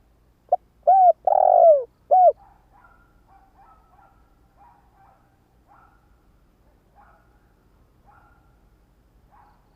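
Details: Spotted dove decoy for attracting wild doves gives one clear phrase of short and long falling coos, followed by a series of faint, quiet chirping notes.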